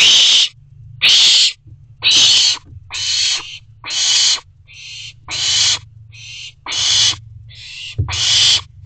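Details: Owlet alone in an owl nest box at night, 9:58 pm on 29 June 2023: harsh, hissing screeches repeated about once a second, each lasting half a second, over a steady low hum.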